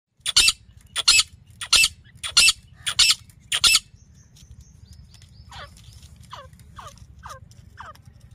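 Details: Female grey francolin from Layyah, Punjab, Pakistan, with a call used for hunting: six loud, harsh, broadband bursts about every 0.65 seconds, then softer, thinner descending notes fading out over a low steady hum.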